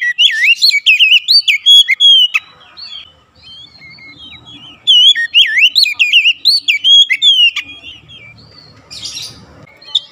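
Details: Stimulating song of the Oriental magpie-robin for caged birds: two long, fast sequences of sharp, wavering whistles and chirps, each lasting a couple of seconds, with a quieter stretch between and a faint note at the end.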